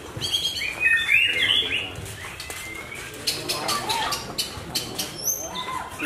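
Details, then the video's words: Caged Javan white-rumped shama, Larwo type, singing at a contest hanging: a quick run of sharp, high whistled phrases opening the clip, then fainter notes among crowd chatter and clicking sounds. "MURAI BATU JAWA - LARWO BLOROK DI GANTANGAN"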